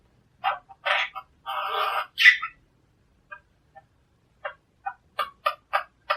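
A monk parakeet gives harsh, grating squawks and a rasping chatter, then a run of short, clipped chirps about every half second in a quiet room.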